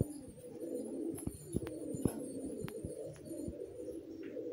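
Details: Several young racing pigeons, in summer before their first racing season, make a steady low, throaty cooing murmur, with sharp clicks and taps scattered through it in an enclosed space.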